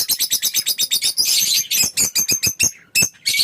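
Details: Fischer's lovebird singing: a fast, steady train of shrill, buzzy chirps, about five per second, merging midway into a dense rasping chatter, then breaking back into separate loud squeaks.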